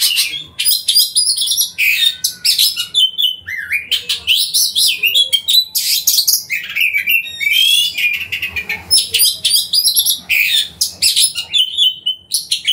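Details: White-rumped shama singing as a lure to provoke other shamas, a rich, fast stream of varied whistles, chattering phrases and sharp notes running almost without pause.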